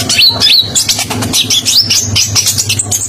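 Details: Konin songbird from Indonesia, spotted and singing hard for tutoring other birds: continuous high rolling trills and quick slurred whistles packed closely together, with faint low hum underneath.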